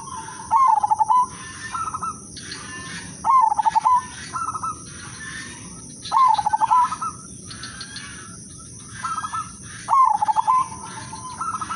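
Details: Zebra dove of the udanmas silver type, a lure singer that sets other doves singing: a rapid stuttering coo rolling down then ending on a held note, repeated about every three seconds, with softer higher coo phrases between.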